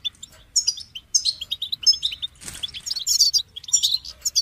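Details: Goldfinch in full song, pouring out fast tinkling twitters and liquid trilled phrases almost without pause. A short soft thump breaks in midway.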